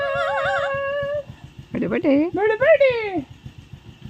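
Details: Amazon parrot kept as a pet and taught English, first holding a wavering whistled tone, then running into a burst of harsh, speech-like syllables that swoop up and down, against a constant low mechanical drone.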